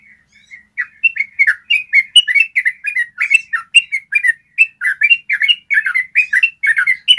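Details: Clear-voiced yellow-vented bulbul in a long 'ropel' trill for training birds: a steady string of bubbly, sliding chirps, closely spaced and rhythmically repeated throughout, with no other sounds.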